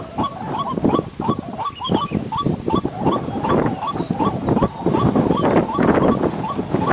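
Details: Waterhen lure call for trapping during the dry season: rapid repeated upward-bending croaks, a few each second, overlapping with low wind rumble and gusty noise.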